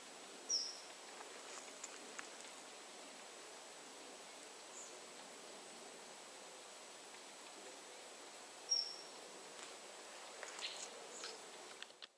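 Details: A great spotted woodpecker (Dendrocopos major) at Joachimów Mogiły, Poland, gives two single sharp, high 'kik' notes about eight seconds apart, over soft rustling and steady background hiss.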